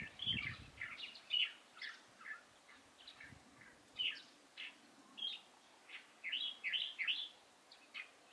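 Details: Light-vented bulbul on 16 April 2023: a run of bright, clipped chirps spaced roughly every half second, quickening into a tight cluster of sharp notes near the end, over quiet background.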